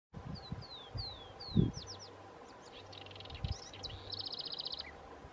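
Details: House wren (chercan) singing at Lago Sofía, Magallanes Region, Chile: quick series of high, slurred downward notes, then buzzy phrases ending in a rapid bubbling trill, over low rumbling wind and a few thumps.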